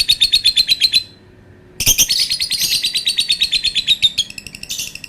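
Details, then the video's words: Lovebird giving a long calling bout: rapid, unbroken series of shrill high chirps, around three per second, pausing briefly after a second, then resuming with a denser, harsher chattering stream. "Burung Lovebird bunyi suara panjang"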